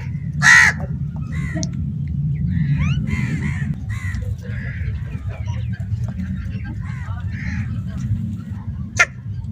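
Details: Crows, possibly squabbling over food, give short harsh caws in scattered bursts with a sharp higher call near the start, over a steady low rumble of background noise.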